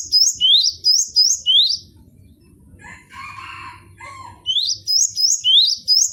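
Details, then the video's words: Cinereous tit (gelatik batu) song on a training recording for other birds. Loud rising two-note whistles repeat quickly, then a brief harsh chattering break, then the whistled phrases resume. "MASTERAN GELATIK BATU BONGKAR ISIAN vol.01"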